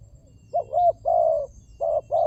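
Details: Spotted dove cooing, used as a lure recording to prompt silent doves to call: low, hoarse coos in a broken phrase of four notes, the longest held note in the middle, over faint background rumble.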